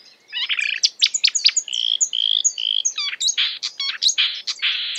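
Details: A marsh warbler (Acrocephalus palustris) imitating other birds in fast, varied song: a rapid jumble of high chirps, buzzy trills and clear whistles borrowed from other species.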